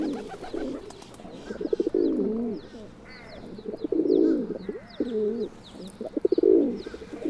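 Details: Feral pigeon (Columba livia domestica), the tame form of the rock dove, giving low, throaty rolling coos in several swelling phrases, each rising and falling over a second or two, with faint high chirps in the background.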